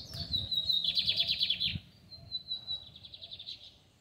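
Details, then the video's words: A lined seedeater sings in a square in the Fátima district: a high, scratchy trill of quickly repeated notes, then a softer and thinner continuation that fades out. "Bigodinho cantando na praça do bairro de Fátima!"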